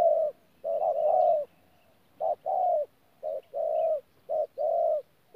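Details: Spotted dove kept as a decoy in a cage at Tumorong, 14 January 2019, cooing in the mixed thổ and gù manner: a long rolling coo, a pause, then short-long pairs of soft hollow notes repeated three times.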